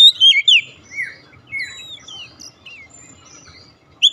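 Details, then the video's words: Oriental magpie-robin song, used to stimulate a silent bird to sing: a few loud whistled slurs at the start, then soft, quieter warbling notes and a final bright note. "pancingan ampuh | memancing ncept Kacer macet bunyi langsung gacor"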